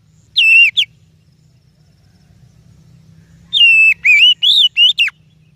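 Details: Oriental magpie-robin singing, a song used to lure or train other birds: a short whistled pair, a pause, then five loud clear whistled notes, some rising and one sharply falling.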